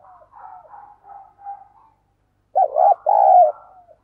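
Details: Spotted dove used as a lure bird, calling to draw in wild doves: faint soft cooing notes at first, then after a pause a loud set of rounded, hooked coos with one drawn-out note, in a quiet setting.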